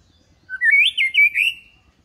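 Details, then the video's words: White-rumped shama song meant to prompt young birds to start singing: a single rich warbled phrase rising from a low whistle into a rapid, quavering, high trill lasting about one second. "Pancingan murai batu || khusus trotolan agar belajar bunyi"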